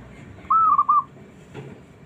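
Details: Single phrase from a small zebra dove meant to provoke silent doves into answering: a brief mellow whistled coo followed by a quick bubbling double note, with faint low hum behind.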